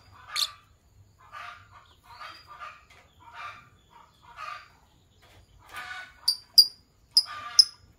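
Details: Green Fischer's lovebird pair singing in the morning, with short raspy chattering bursts about once a second, building at the end into several loud, sharp, piercing high chirps in quick succession.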